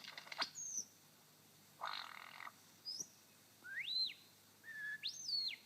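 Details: A male superb lyrebird on his dancing mound in Sherbrooke Forest Park mimics a brush-tailed possum: a sharp click, a harsh rasping burst, then high whistles that sweep up and fall away.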